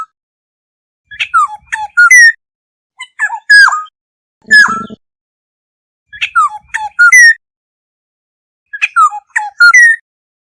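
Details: Black-hooded oriole flock call, used as a lure: four bursts over ten seconds of liquid, descending whistled notes with bright overtones. One burst carries a low rasping buzz. Silent pauses fall between the phrases.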